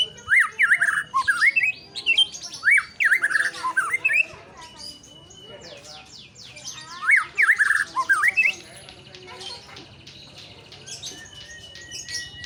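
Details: White-rumped shama singing loud, rich whistled phrases that sweep up and down, given in bursts separated by short pauses, over a steady background of many rapid high chirps from other birds.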